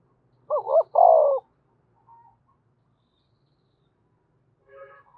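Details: Spotted dove from Đồng Nai calling to lure and excite wild doves: one phrase of two quick hooting notes and a longer rolling, burry coo, followed by a few faint soft notes in an otherwise quiet setting.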